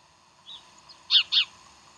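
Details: Bald eagle, Decorah, morning of 15 January 2012: a faint high note, then two loud, shrill, slightly descending chirps about a fifth of a second apart, against low hiss.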